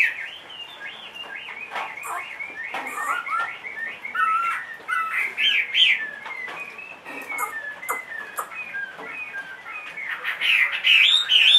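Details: Caged Chinese hwamei, two and a half years old with a big body, said to sing anywhere, giving a long, rambling run of varied whistles and chattering notes that grows louder toward the end.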